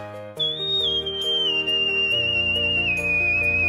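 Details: A pet cockatiel whistles a single long phrase of Let It Go, one pure tone sliding gradually downward over steady music.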